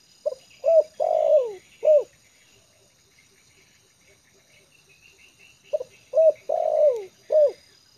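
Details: A tame lure spotted dove, settled on the ground, repeats a low four-note cooing phrase twice, about five seconds apart. Each phrase sounds as a brief note, coo, a long falling croo and a final coo, with faint high chirping behind.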